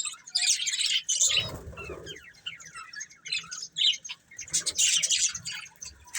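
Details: Busy high chatter from a breeding pair of budgerigars, scratchy warbled chirps in bursts with a soft low rustle or flutter near the start.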